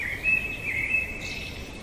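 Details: Blackbird singing at night: sustained clear whistled notes held almost level, ending in a higher scratchy flourish, against a constant low hum.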